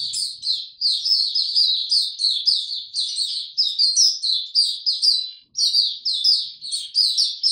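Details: High, rapid twittering song of a white-eye in warm, very humid conditions, 26 March 2022, rolling out in near-continuous sweet chirped phrases with one brief pause.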